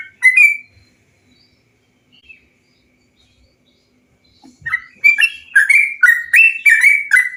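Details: Yellow-vented bulbul song used as a training and stimulation recording to get birds singing: one bright chirped phrase, a long quiet gap, then a lively run of rich, bubbling whistled notes.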